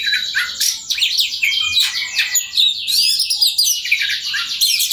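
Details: Oriental magpie-robin in continuous 'ngobra' song meant to spur opponents into singing; a thick, unbroken flow of overlapping whistles, scratchy chatter and trills with a steady faint low hum beneath.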